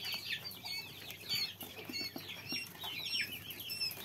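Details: Tiny quail chicks calling together, shrill arched peeps tumbling over one another in a lively, irregular chorus, with faint tapping in the background.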